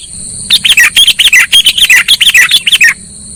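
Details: Lure call of a sooty-headed bulbul used in trapping: one continuous run of about fifteen fast, looping chirped notes lasting over two seconds, with steady high tones before and after.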